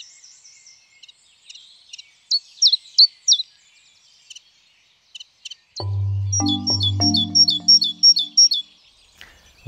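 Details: Great tit in spring, a common garden species that starts singing in December: song of two metallic notes alternating as a bright 'tee-du' motif, repeated several times in quick succession, each note distinct in pitch, over low music.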